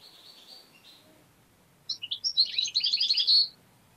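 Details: Tame pet European goldfinch that attacks and bites a finger, singing strongly: faint high notes, a pause, then a dense, rapid burst of bright twittering lasting under two seconds.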